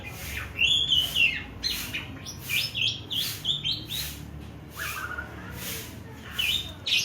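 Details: Javan pied starling learning to sing: varied whistled and chattering notes, some rising and others falling, given in quick irregular bursts over a low steady hum.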